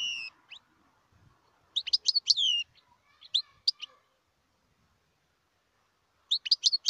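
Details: European goldfinch, wild, recorded in Algeria: clipped bright chirps and slurred twittering phrases separated by pauses, with a final quick burst of high tinkling notes.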